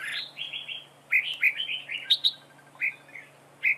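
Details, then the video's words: Decoy red-whiskered bulbul in a trap duel, giving dueling song: quick runs of clear whistled notes, some slurred upward and some sharply accented, come in tight clusters with short pauses between them. A steady low hum continues beneath. "Bẫy đấu chào mào cực đẹp, hót cực hay"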